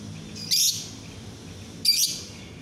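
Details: Lovebird training song (masteran) played during the day: two short, bright, high chirping bursts about 1.3 seconds apart, each a quick twittering trill, over a low steady background hum.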